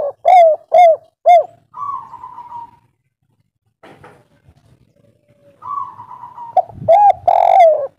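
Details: Local spotted dove, soft-voiced kuk 3 coos used to bait other birds into calling back. Three arched coos and a long level note are followed by a silent gap, then another drawn note and further loud coos.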